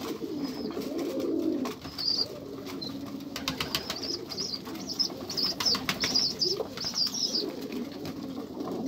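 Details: Pigeons cooing in low, rolling, throaty tones, with a clatter of flapping wings around the middle and faint higher chirps above.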